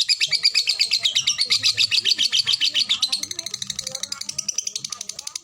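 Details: Lovebird of the fighter type in a long ngekek chatter with tight pauses: a sustained, fast, rattling stream of high pulses, about eight per second, steady then slightly softer, with faint voices talking in the background.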